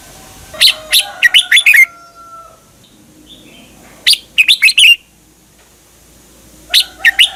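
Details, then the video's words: Red-whiskered Bulbul, a caged bird in Thailand, singing the kind of song played to teach copying or to make birds lively. Three energetic phrases of clipped, rising and falling whistled notes, with faint thin tones between them. "เสียงนกกรงหัวจุก สำหรับต่อ หรือ เปิดให้นกคึก เสียงเพราะๆ"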